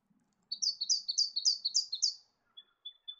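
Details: Eastern spinebill, a honeyeater of heath, woodland and town gardens, delivering a fast run of about ten sharp, high piping notes alternating in pitch, then a pause and three thin, level whistled notes; a faint low murmur at the start.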